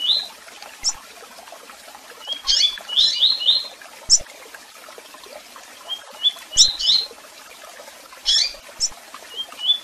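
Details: Double-collared seedeater singing in the tui-tui song style, with chirps and calls: short phrases of high, quick slurred notes and sharp chirps, repeated in bursts every couple of seconds, with a faint hiss in the background.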